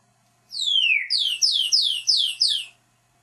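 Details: Pet parrot giving a series of about six high, descending whistles, each sliding smoothly downward and repeated in quick succession over roughly two seconds, in a quiet room.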